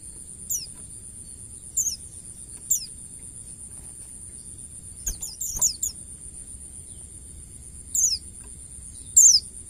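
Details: Wild white-eye recorded as a training master: isolated short, very high downslurred chirps at irregular intervals of one to two seconds, a faint tap midway, and a steady high hum in the background.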